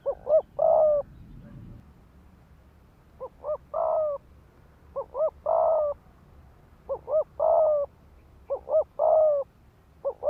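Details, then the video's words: Spotted dove decoy calling to excite males to fight, giving repeated phrases of two or three short rising notes and a long steady coo, about five phrases, with a brief low rustle near the start. "Tiếng chim cu gáy mồi đất Thúc Gù kích bổi máu chiến."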